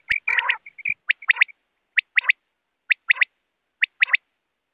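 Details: Wild quail, used in net hunting: after an opening harsh chattering burst, evenly spaced three-note whistled phrases, each a sharp pwit-wit-wit, repeat about once a second.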